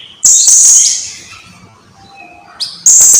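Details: Blue-crowned hanging parrot, a recording used for training other birds to sing: loud, very high, shrill buzzy bursts, a long one then a short one after a pause, with faint softer whistled notes in between.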